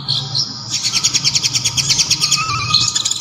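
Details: Konin sunbird song with kapas tembak phrases: a high thin note, then a steady series of sharp, ringing pulses repeated quickly for over two seconds.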